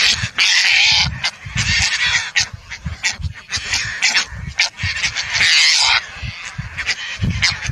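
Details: Calls of Indian skimmer: repeated harsh, dog-like yaps and longer nasal notes coming in irregular runs, backed by continuous low-pitched wind noise.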